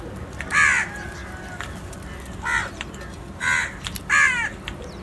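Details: A black crow, among crows eating and feeding together and calling others to food, gives four harsh, hoarse caws, each about a quarter-second long, spaced unevenly over five seconds, with a low background hum.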